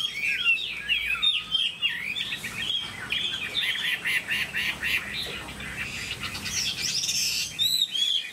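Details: Caged Chinese hwamei, a tame pet songbird, giving quick looping whistles and then a rapid series of repeated sharp notes, with background hiss later in the passage.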